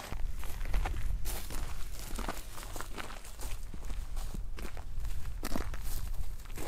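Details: Footsteps crunching outdoors at sunrise, steady and uneven, with no animal calls.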